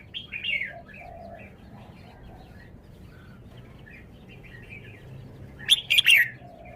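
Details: Red-whiskered bulbul showing off its song phrasing: soft, scattered twitters, then a loud burst of three quick, liquid whistled notes near the end, with faint chirping throughout.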